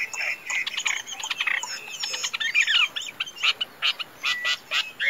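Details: Tame caged Chinese hwamei, described as a strong singer and good fighter, delivering a dense, varied song: rich whistled and chattering phrases at first, then loud, evenly spaced bursts of notes repeated about three times a second.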